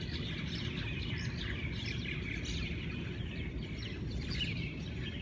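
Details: Hawaiian birds singing together at dawn, a steady mass of bright twitters and brief whistled slurs from numerous birds, louder toward the end, over constant low rumble.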